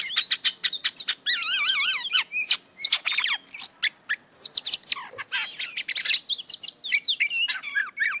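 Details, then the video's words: Caged Oriental magpie-robin (kacer) in a busy full isian song: staccato chips, a wavering bubbling trill, clear slurred whistles and scratchy bursts, changing phrase every second or so with hardly a break. "Kacer Gacor Full Isian"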